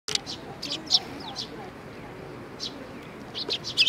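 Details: Young sparrows gathering at food at Tenmangu shrine, Nakanoshima, on 25 May 2020, giving short bright chirps scattered through the clip with pauses between them, over a low background hum.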